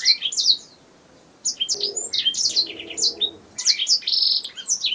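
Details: Canary song for master training of songbirds: a short chirp burst, a near-silent gap, then rapid high sweeping notes and a steady buzzy trill near four seconds.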